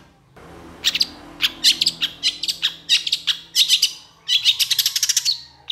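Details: Long-tailed shrike singing a harsh, scratchy run of quick chattering notes, several per second in uneven bursts, high and rasping throughout.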